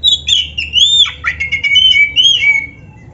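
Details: Black-breasted oriental magpie-robin (kacer dada hitam) master song with rich varied fill phrases, used for training caged birds: a dense, continuous run of sweet whistled notes sliding up and down, with short rapid chips, over faint low hum.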